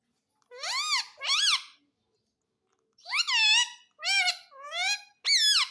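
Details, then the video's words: Indoor talking parrot saying mummy papa style words: a pair of arching, speech-like syllables, a pause, then four more loud harmonic phrases of varied pitch in quick succession, nothing else audible. "Mummy papa Bolta Parrot || Pyaare mitthu ki roti do|| Talking Parrot"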